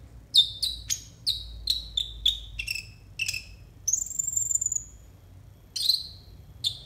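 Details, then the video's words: Tutoring konin song for untrained young konin: a string of short downward-slurred whistles about every half second, then a long sustained high rising whistle, and after a pause two more slurred notes. "TERAPI AMPUH UNTUK BURUNG KONIN 100% COCOK BUAT MASTERAN KONIN BAHAN"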